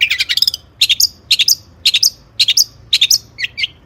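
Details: Long-tailed shrike singing in rapid, energetic 'gacor tembakan' style, used as a tutor recording to train other birds: tight clusters of sharp, high chirps and short whistles in bursts about every half second, with no other clear sounds.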